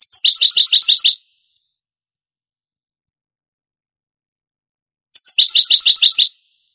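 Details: European goldfinch song in the Granada style, taken from an old 1980s–90s Spanish cassette copied to CD; two separate bursts, each about one second of roughly ten rapid, evenly repeated high ringing notes, divided by four seconds of silence.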